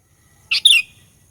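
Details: Sooty-headed bulbul lure song used to provoke rival bulbuls: a single brief phrase of two quick bright whistled notes, the second sliding downward, against a quiet low hum.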